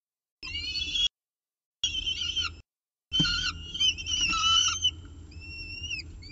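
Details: Nesting peregrine falcon holding pigeon prey, Orange, morning of 24 October 2018; three bursts of thin, whistled wails separated by gaps, the last longer with rising slurred notes.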